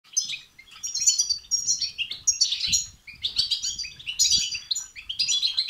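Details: European goldfinch song of the betbeta and setseta style, played to stimulate a goldfinch to sing: rapid, bright twittering phrases of high tinkling notes and buzzy trills in bursts of about a second, nearly continuous with brief gaps, with faint low thumps.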